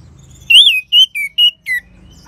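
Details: Orange-headed thrush song used as a prompt for other birds: five clear whistled notes, the first long and arching, then shorter level and falling whistles.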